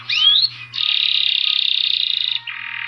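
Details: Saffron finch song: a quick rising whistled sweep, then a long, even, buzzy trill held for nearly two seconds, ending in a lower, softer buzz.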